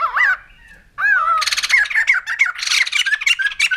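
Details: A white-crested laughingthrush starts with a few wavering, rising calls, then breaks into a loud, rapid laughing cackle of harsh, jumbled syllables that runs to the end.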